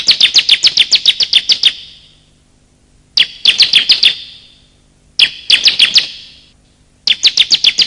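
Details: Bar-winged prinia, male and female calls used as a lure to draw in wild birds and prompt silent ones to sing: bursts of rapid, sharp high chirps, about eight a second, in runs separated by short pauses, with a faint low hum.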